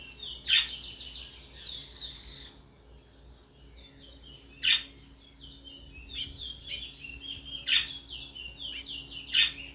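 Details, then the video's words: Chestnut-bellied seed finch, known in Guyana as brown towa towa, singing bursts of bright twittering warbles, each phrase opened or punctuated by a loud sharp note, roughly every two seconds, against quiet low hum. "brown towa towa bird"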